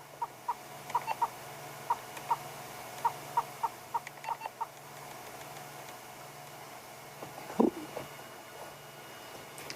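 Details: A panting Yellow-billed Hornbill with an open beak, heard on an afternoon safari, gives a run of short clucking notes for about five seconds, followed by quieter background noise and a brief loud rustle.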